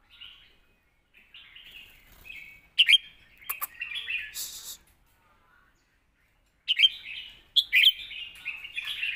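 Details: Red-whiskered bulbul, a caged songbird whose song is used for training young birds: bright, liquid, warbled phrases in short bursts separated by pauses, with a few sharp clicks.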